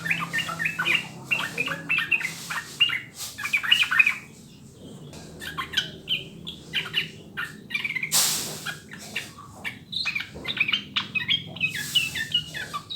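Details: A sooty-headed bulbul sings in a recording used as a tutor to set other birds singing. Dense chattering, bubbly whistled phrases come in bursts with a short pause mid-way and occasional loud hissing noise.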